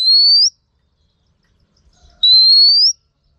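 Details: Two long rising whistles from a female Oriental magpie-robin kept to rouse males to sing, each note pure and gliding upward, separated by nearly two seconds of silence.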